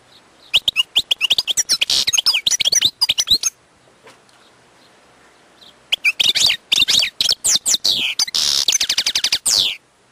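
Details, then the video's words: Wild European goldfinch delivering fast tinkling song phrases of high twitters and buzzy trills, then a pause of about two seconds of quiet, then a second energetic phrase of chattering notes and rattles. "chant chardonneret sauvage/ تغريد حسون نار"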